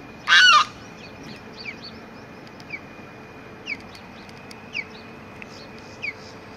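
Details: On April 22, 2021, a limpkin perched in a cypress tree gives one loud, harsh, wailing cry, followed by faint, thin, downslurred chirps from smaller birds about once a second.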